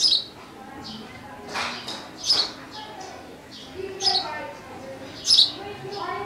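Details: Sparrow chirping: short bright chirps repeated at irregular intervals, some louder bursts around two, two and a half, four and five seconds, with faint lower tonal notes and background murmur.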